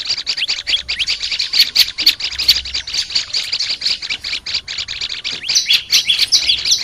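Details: Olive-backed tailorbird chatter used in training: a long, dense burst of high twittering notes, fast and unbroken, a little louder toward the end.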